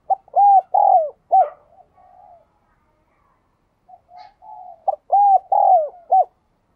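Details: Ringing 'giọng đồng kim' cooing from a spotted dove. A loud phrase of four or five deep, bowed coos is followed by a soft quiet stretch. The same strong phrase then repeats, closing the clip.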